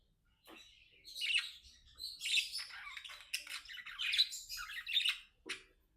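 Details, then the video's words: Tame budgerigars chatter while playing: scratchy squawks, clicks and chirps run in a rambling, uneven warble, ending in a short sharp note after a pause. "Budgie Best Friends Talking, Playing and Singing"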